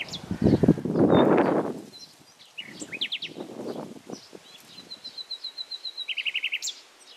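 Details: Common nightingale song behind loud low knocking and rustling at first, then clear phrases: a fast triple chip, a long string of evenly spaced thin notes, and a short rattling burst.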